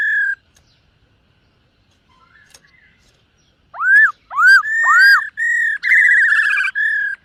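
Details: Silver-eared laughingthrush singing a morning training session: one whistle, a long near-silent pause, then a run of arched rising-falling whistles and steady, slightly rough held notes.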